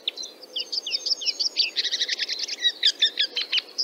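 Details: Red-backed Shrike from Central Russia giving a fast, scratchy chatter of high, varied notes: short slurred chirps that run into a dense buzzy trill midway, then sharp ticking and squeaky notes, nearly four per second, over a faint low background hiss.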